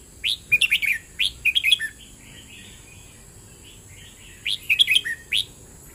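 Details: Red-whiskered bulbul singing "เบิ้ลริก"-style: several short, chirpy whistled phrases with quick up-and-down notes, then soft quiet warbling. After a pause a louder run of phrases returns, over a steady high hiss.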